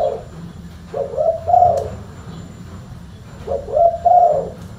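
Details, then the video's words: Spotted dove (tekukur) uttering two soft cooing phrases, each a brief lead note followed by a longer, fuller hoot, with a quiet pause between and low background rumble. "TEKUKUR SUARA FULL BASS"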